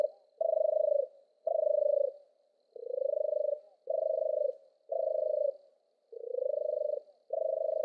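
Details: Deep trembling purrs of a European turtle dove, eight notes repeated about once a second, a few beginning low and rising, with a faint high hiss throughout.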